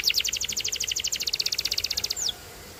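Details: A canary delivers a fast, even rattle of rapid pulsed notes lasting about two seconds, ending on a single downward slur before falling quiet.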